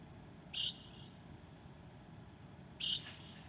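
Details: A northern mockingbird at 2:00 a.m. on 9 July 2008 gives two short, harsh, high notes about two seconds apart over a quiet background hiss.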